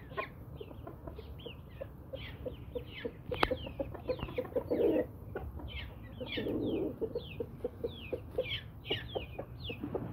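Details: Brahma breed chickens, hens and roosters kept as pets, cluck steadily in quick low pulses, with two longer throaty murmurs between them and dense high chirping from small birds throughout.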